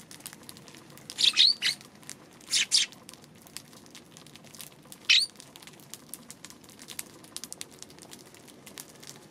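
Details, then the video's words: Eurasian tree sparrow recorded on March 2, giving three short bursts of high chirps spaced over a few seconds, with faint ticking and patter in the background between calls. "今日のスズメ 3月2日"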